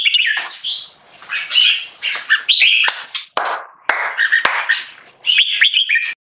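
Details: Caged male red-whiskered bulbul, tame and Singapore-bred, reacting to human disturbance with strident keke chatter in uneven bursts, separated by short silences and loud cage clicks.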